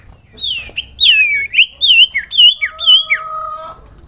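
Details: Common iora calling to prompt other ioras to sing: a rapid string of bright wavering whistled notes, falling and rising, ending in a drawn-out lower whistle, in a quiet setting.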